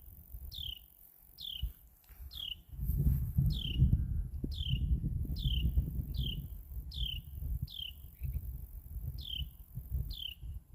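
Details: Carolina wren chirping: a series of about a dozen quick, high downslurred notes spaced roughly one second apart, with a strong low rumbling noise, likely wind or traffic, swelling underneath.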